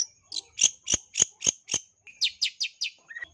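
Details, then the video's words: Long-tailed shrike in lively lure song, high in breeding condition: a thin whistle, then sharp double-banded chirps about four per second, followed by rapid buzzy downslurred notes and a lower closing whistle. ""CENDET GACOR NARUNG" // Cendet paling gacor full isian // Suara pikat Cendet"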